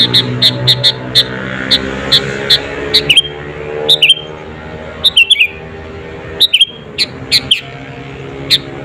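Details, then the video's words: Sooty-headed bulbul in lively song, used as a lure to provoke rival birds: short bright chirped phrases, some with a quick downslurred tail, repeated in bursts across the clip over a steady low hum and faint background sound. "SUARA BURUNG KUTILANG GACOR ASLI TAMPA ISIAN..,!!!pancinga kutilang bikin lawan emosi"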